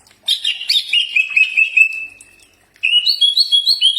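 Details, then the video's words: Green leafbird song meant to make other birds reply: a scratchy chattering start sliding into a long, steady whistle, a short pause, then quick repeated high whistled notes. "Mastran burung cak ijo pasti nyaut"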